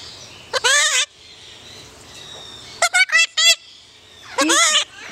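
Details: Corkie, a pet yellow-collared miniature macaw in Paradise, California, on 14 July 2008, talking: loud, raspy, harmonic utterances, a drawn-out call, a quick burst of three or four clipped syllables, then another long call.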